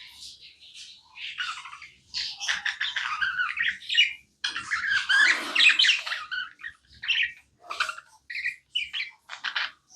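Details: Pet budgie in continuous chatter, rapid scratchy chirps and buzzy squawks packed closely together, broken by short gaps near the end.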